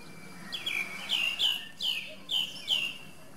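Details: Song thrush (Turdus philomelos) repeating a loud descending whistle about five times in quick succession, each note swooping down in pitch, over a low steady background hum.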